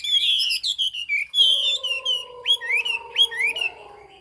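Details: Chinese hwamei song of high, sharp whistled slurs and upswept notes, joined midway by two steady, low, humming tones that run underneath for about two seconds.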